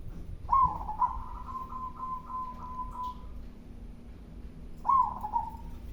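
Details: Local zebra dove with a loud voice: a long, slightly pulsing cooing phrase lasting about three seconds, then silence, then another coo opening the next phrase; low background hum.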